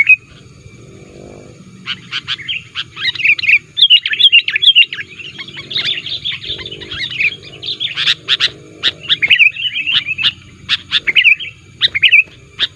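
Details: Sooty-headed bulbul lure call, loud and active, pressing rivals, used to trap wild bulbuls: dense run of sharp chirps and short twittering phrases, bursts coming in clusters with brief pauses, over a low background hum.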